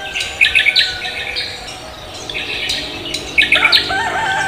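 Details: Javan green magpie greeting the morning with busy, high squealing whistles in two bursts separated by softer chatter, the second burst sliding into lower notes.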